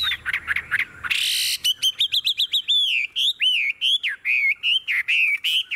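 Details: Tame caged Chinese hwamei singing tirelessly: a harsh burst, then rapid runs of loud, clear whistled notes, quick repeated upslurs followed by looping, wavering phrases, each separated by brief pauses.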